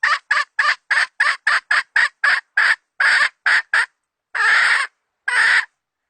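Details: Hen kept as a trapping decoy: rapid run of short, loud, harsh clucks in a quick series, then a pause and two longer raspy squawks. Clean recording with no background noise.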